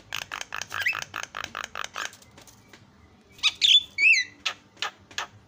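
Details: Asian pied starling provoking song: a steady train of rasping, buzzy notes, then a pause and a few sweet, wavering whistled notes and sharp chips.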